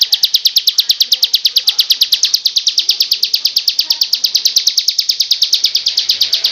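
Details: Loud "ngebrem" song of a bar-winged prinia, a training recording for other birds: an unbroken, fast, even string of sharp high buzzy chips, about seven each second, holding one pitch throughout.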